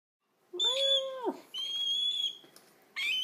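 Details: Sulphur-crested cockatoo chicks in care with a wildlife carer noisily demand food: drawn-out, screechy tonal calls, the first steady and then dropping, followed by higher shrill wails in quick succession.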